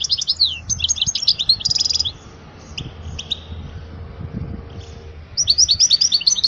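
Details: Song of a European goldfinch used to teach young goldfinches: high liquid twittering with a short buzzy trill, a quiet gap with scattered notes, then another burst of rapid twittering.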